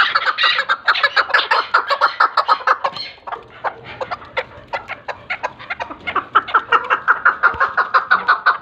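A Chukar partridge gives a rapid, harsh clucking chatter, chuk-chuk notes repeated about three per second, rising into a busy run with no other sounds.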